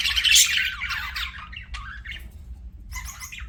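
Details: Pet budgerigar gives a loud burst of scratchy chirping, then a few separate squeaky notes and short rising chirps with brief quiet gaps between them.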